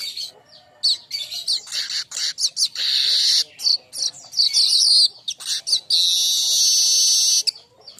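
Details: Baya weaver, a young kembang-stage bird, singing a fast, dense chattering song of buzzy trills and sustained high wheezy notes, broken by brief pauses; used as training song for other songbirds.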